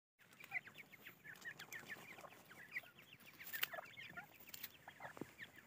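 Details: Grey francolin (Irani dakhni teetar) chicks giving dense, overlapping high peeps and short chirps. Many calls fall together in quick, uneven bursts, with occasional sharper clicks.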